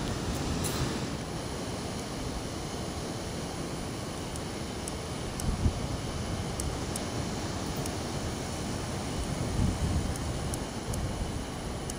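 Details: A steady low rumble like a passing train or vehicle fills the recording, with a few faint high ticks and no clear animal calls.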